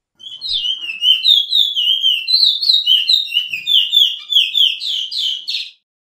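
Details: Pijé-Pijé training song of the chestnut-bellied seed-finch, as known in Suriname: long unbroken warble of sweet whistled slurs, rising toward the end before stopping abruptly.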